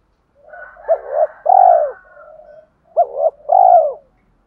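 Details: A spotted dove used to lure wild doves, calling so they answer quickly. Two coo phrases, each a quick double note and a long low coo, with a softer overlapping higher note on the first.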